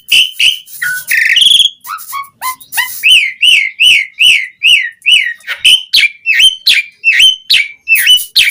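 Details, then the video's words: Asian pied starling song played as a lure so other starlings sing fully: rapid varied whistles, a few low notes, then a steady run of loud arched slurred whistles about three per second, harsh and ringing. "Suara Jalak Suren Gacor Langsung Ampuh bikin Bunyi buat Pancingan Burung Jalak Agar Gacor Full Isian"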